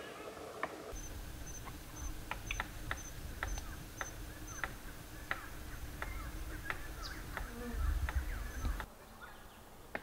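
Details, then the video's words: Palm cockatoo drumming as part of its courtship ritual: sharp, dry knocks tapped out irregularly, roughly two a second, over a low rumble of wind. "Palm cockatoos beat drum"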